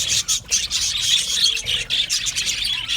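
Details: An aviary colony of budgies gives rapid, high, chattering chirps in quick pulses several times a second, the chorus loud and unbroken throughout.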